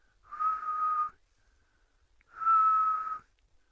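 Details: Grey-headed Bush-shrike, the "ghost bird", calling in mid-November at the start of a wet period after a dry spell, giving two long, mournful, level whistles, each almost a second long and about a second apart, with a slight drop at the end.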